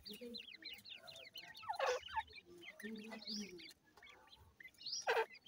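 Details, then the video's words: Grey francolin chicks at feeding time give short rising peeps in quick runs, high and thin, with a few louder broad bursts and low murmuring underneath. "irani teetar chicks baby feed"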